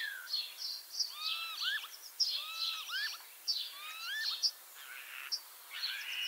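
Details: Injured-legged ringed common starling in Liepāja, Latvia, repeating phrases about once a second: high crackly rattles mixed with looping, rising whistled notes, over a slight background hiss.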